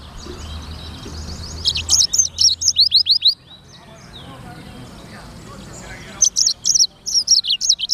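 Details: Black-throated canary (sanger) singing in bursts: a rapid string of high, sharp, trilled notes, then a pause with faint background sounds, then another fast, high-pitched phrase.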